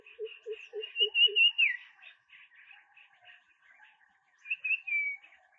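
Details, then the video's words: A Common Iora at Chicalim, Goa, in the Western Ghats, calls high whistled notes with a long drawn-out descending whistle, over a run of five low hooting notes and other faint bird calls. "Common Iora Call"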